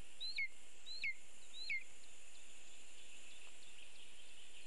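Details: Lesser spotted eagle at a birch nest in Latvia on a live nest camera, a bird being brought. Three clear high yelps, each sliding downward, spaced about 0.7 seconds apart, then only hiss.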